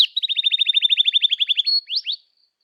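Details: Canary song played to stimulate young canaries to sing and learn: a fast, even series of about fifteen sharp, downward-sweeping chirps, then a held whistle and two rising notes, clean with no background.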